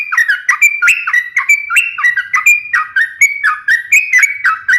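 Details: Sooty-headed bulbul delivering continuous song for luring and training birds: steady run of clear whistled notes that drop and rise in short repeated phrases, about four per second.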